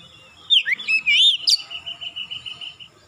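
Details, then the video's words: Oriental magpie-robin lure song: a short flourish of looping whistled notes and a sharp upward flick, then an even, pulsed whistle repeated rapidly for over a second. "PANCINGAN KACER mudah cepat gacor"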